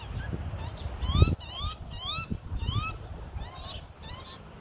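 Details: Young Australian magpie, two days out of the nest, begging as its parents feed it in Melbourne in 2020; insistent grating calls that sweep upward, repeated about twice a second, over thumps and low rumble.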